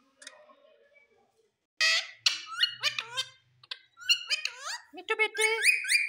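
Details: Indian ringneck (rose-ringed) parakeet talks, saying "mithu mithu" in a high, nasal, clipped voice, stringing short word-like phrases with squawky whistles between them.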